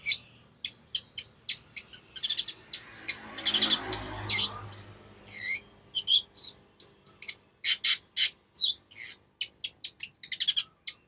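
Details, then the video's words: Lively long-tailed shrike song played as a master for training other birds: quick high chirps and clipped notes in irregular bursts, with a noisy, rustling patch midway and fast twittering phrases throughout. "CENDET GACOR UNTUK MASTERAN dan PANCINGAN"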